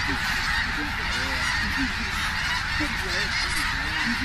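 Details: Huge flock of snow geese settling at Richmond, British Columbia, Canada, 21 October 2005; countless honking voices merge into a steady clamour, with clear bent, rising-falling yelps standing out from the constant wash of sound.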